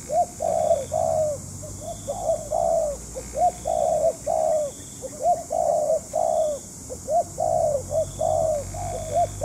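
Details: Spotted dove decoy during dove trapping, cooing insistently. Clipped introductory notes followed by long, soft, slightly descending croons come in dense, uneven series, with overlapping phrases that suggest more than one caller.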